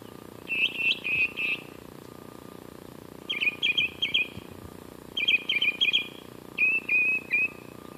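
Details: Glendale, California bird singing on Western Ave at 84.9°F: four bursts of rapid stuttering notes spaced by pauses of about a second, the last phrase a more drawn-out slurred series, with a constant low hum behind.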